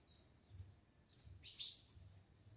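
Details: Green-winged saltator gives clear, high whistles: a slurred falling note, a loud bright burst, then a long downslurred whistle, over a faint low rumble; a doubled song.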